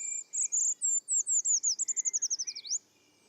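A Eurasian Treecreeper sings a thin, very high strophe of about three seconds: scratchy notes quicken into a falling trill, ending on a brief upward flick.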